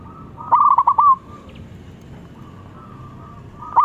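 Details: Local zebra dove calling loudly to draw answers: one fast, rolling trill of cooing notes lasting under a second, with the start of another phrase at the very end over quiet background hiss.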